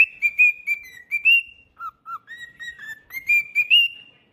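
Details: Clean, close whistling from a singing pet cockatiel, with choppy phrases that rise and fall, two low short notes in the middle, then a climbing run of whistles.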